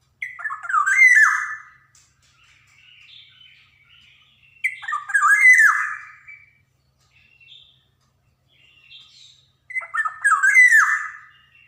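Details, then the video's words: Black-naped oriole from Java, a lively singer used as a training model for young birds, giving three slurred, mellow whistled phrases roughly five seconds apart, with soft notes in between. "SUARA PANCINGAN KEPODANG JAWA | kicauan kepoxang emas gacor cocok buat merangsang kepodang bahan"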